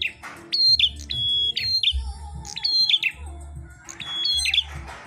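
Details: Prenjak klawu, the red-headed prinia, singing while fighting. Sustained high whistled notes with downward-slurred endings in clusters, mixed with a few scratchy rasping sounds and a soft low hum.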